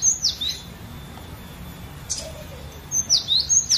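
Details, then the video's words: Cinereous tit from a collection, kept as a song tutor for other birds: a few sharp, high, down-slurred whistled notes in short pairs, separated by gaps over a steady low background hiss. "Ocehan Burung Glatik Batu Variasi"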